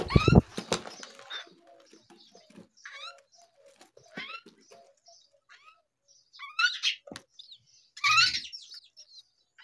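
A young myna gives harsh, rasping begging calls in quick bursts, some rising and buzzy, with wing-flapping and handling thumps at the start.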